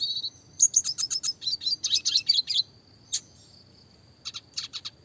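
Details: Red siskin of the classic type singing clearly for songbird training, a run of quick high chirps and buzzy twitters lasting about two seconds, then a lone note and a short closing burst.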